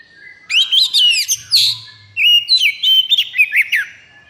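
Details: White-rumped shama in high breeding condition sings two dense phrases of quick whistles, ticks and slurred notes, bright and loud, with a faint low hum beneath.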